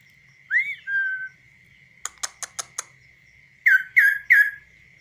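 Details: Uncaged tame kaso-kaso bird singing on a hand: a rising slurred whistle and a level note, a burst of five dry clicks, then three strong downslurred whistles in a row, over a constant high tone.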